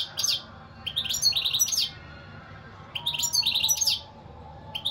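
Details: European goldfinch singing in rapid twittering bursts of high, liquid chirps and trills, two phrases about a second long separated by short pauses, over a low steady background hum.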